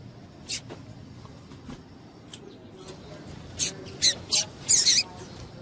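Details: Female double-collared seedeater giving calls meant to excite males: scattered thin, high chips, then a quicker run of sharp, bright chips toward the end, with light background noise throughout.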